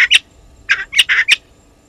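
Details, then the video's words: Spurfowl at a waterhole on Djuma Game Reserve, South Africa, giving a few loud, harsh, grating squawks in quick pairs, close and clear against a quiet background. "Djuma: Spurfowls"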